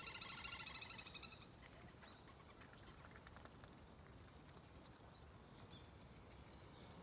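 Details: Domestic duck calling, with a rapid series of nasal, harmonic quacks in the first second and a half, then fading. Thin high bird whistles sound faintly later over steady low outdoor background noise.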